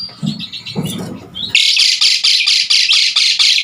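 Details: Asian pied starling in full song, used as a tutor recording for other songbirds: after a low muffled rumble, loud harsh buzzy bursts repeat quickly, about twice a second, in a steady chattering run.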